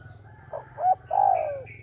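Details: Dove kept as a trapping decoy, said to call others in: two soft short notes lead into a loud drawn-out coo that falls away at its end, over a low background hum.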